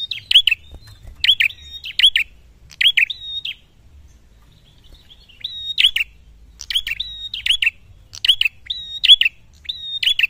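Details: A red-headed prinia singing vigorously as if seeking a rival: sharp, high chirps in quick bursts of three or four, each ending in a brief flat whistle, with bursts repeating about every second after a short pause.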